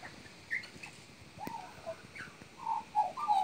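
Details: A magpie mimicking horse and parrot sounds gives soft, warbling mid-pitched whistles in short bursts, louder and more run-together toward the end, with a single sharp click midway.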